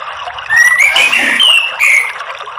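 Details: Orange-headed thrush singing, used as a lure to prompt other birds to sing: rich rising and falling whistled phrases with slurred notes, two short bursts separated by a brief gap.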